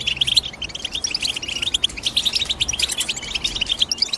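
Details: Steady, busy twittering from a European goldfinch: many short, high, metallic chirps packed closely together, with a soft low hum at the start.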